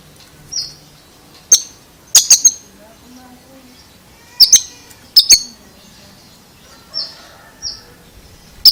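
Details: Strange song of an Oriental magpie-robin: crisp clicking notes in ones, twos and threes interleaved with thin sustained high whistles, loosely repeated roughly every three seconds.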